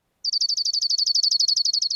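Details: A Dark-eyed Junco gives a calm, non-alarm steady dry trill of about seventeen identical high notes at roughly ten per second, even in pitch and unhurried.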